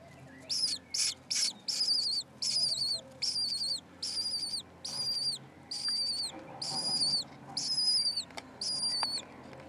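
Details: Four lesser kestrel chicks about six days old in a rooftop nest beside an unhatched egg, giving harsh, high, buzzy begging calls in repeated bursts, about eleven calls in ten seconds, each slightly downslurred at the end.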